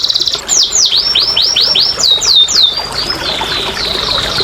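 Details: Singing canary meant to stimulate reluctant canaries: a quick roll, then a series of clear downward-swooping whistles at a steady pace, ending in a drawn-out high buzzy trill.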